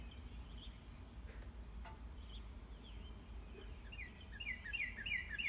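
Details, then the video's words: A northern cardinal's morning song in a backyard: faint chirps, then a quick run of loud, clear, down-slurred whistles, several each second, over a steady low rumble. "Cardinal’s Cheery Morning Tune"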